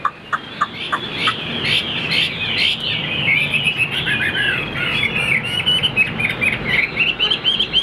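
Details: Caged, tame Chinese Hwamei, a bird whose tail stays fanned even when not singing, delivering a dense run of quick chirps and short whistled notes over steady background hiss, with faint rustling.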